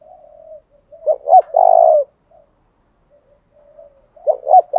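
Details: Spotted dove lure call meant to draw rival birds: a soft low hum, then a phrase of two short notes and a long hoarse coo, and a second phrase beginning near the end.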